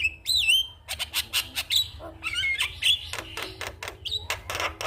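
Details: Morning song of a Javan myna meant to encourage silent mynas to sing: it opens with a looping whistled note, then harsh grating rasps, clicks and short whistled slurs.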